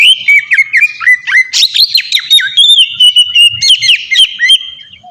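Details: 'Ngeplong' style Oriental magpie-robin song, meant as a lure to make untrained captive birds sing fast. A steady flow of rich, sliding whistles, abrupt upward flicks and rapid chattering notes runs throughout.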